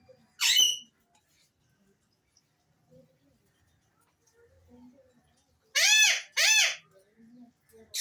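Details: Alexandrine parakeet with one sharp high note at the start, then a pair of loud harsh arched calls close together near six seconds and a brief call at the end, with quiet low sounds between.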